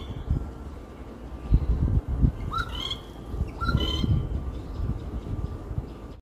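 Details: Rufous treepie (Dendrocitta vagabunda) in a tree at a house gives a few short, rising whistled notes over low rumbling background noise.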